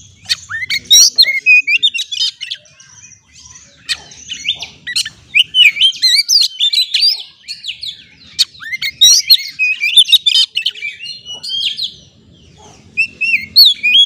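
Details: White-rumped shama song played as a lure to make stressed birds sing. Fast, loud, varied phrases of whistles, trills and sharp chirps, densely packed with short pauses around three and eight seconds.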